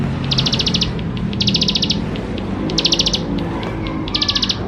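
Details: Bar-winged prinia, lively full song used to get young birds singing fast: four crisp, high, rattling trills about half a second long, spaced roughly a second apart, with low background murmur.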